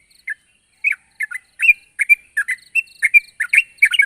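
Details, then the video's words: Calling to challenge a rival, a sooty-headed bulbul opens with isolated chirps, then delivers quicker bubbly two-note phrases, each slurred downward, growing denser toward the end. "suara burung trucuk gacor memanggil lawan"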